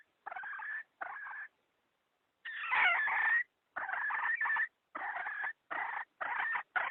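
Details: Hen call from 2020 used as a decoy to lure wild chickens into traps: harsh, raspy clucking bursts with a louder drawn-out squawk near the middle, separated by short silences.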